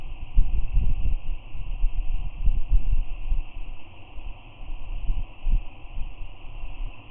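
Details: Gusty wind buffets outdoors as a low rumble over a steady hum, with no animal voice heard.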